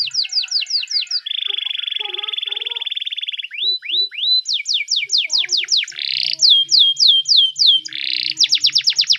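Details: Timbrado canary of Spanish type singing a training song: a rapid sweeping phrase, a long rattling level trill, then rising notes and several series of fast descending whistled sweeps alternating with another brief trill.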